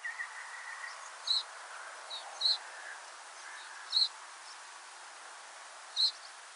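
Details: Reed Bunting in a coastal western European area in autumn or winter gives four short, high, rasping call notes, about 1–1.5 seconds apart, over a soft hiss; this rasping call is often given by migrants.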